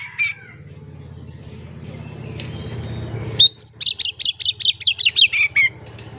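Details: Oriental magpie-robin singing vigorously as a lure for birds that stay silent. A low hum and a brief chirp come first, then an upward whistle opens a quick run of about twelve sharp, high pulses.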